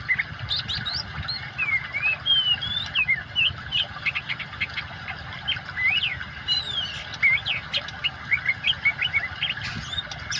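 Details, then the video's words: Oriental magpie-robin singing vigorously, paired with flowing water as therapy for caged birds that stop singing: rapid run of sharp whistled notes, chirps and upslurs, near-continuous phrases over constant low water noise. "kacer gacor kombinasi suara air cocok buat terapi burung macet"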